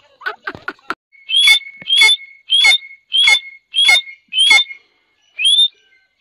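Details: Grey francolins (a Dakhni teetar pair): a few soft clicking notes, then six evenly spaced piercing upslurred whistles about every 0.6 seconds, and one final call after a pause.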